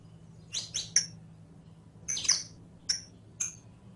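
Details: Saffron finch song meant for teaching captive birds: short bursts of two or three bright, high chirps, then single clipped notes, over a faint low hum.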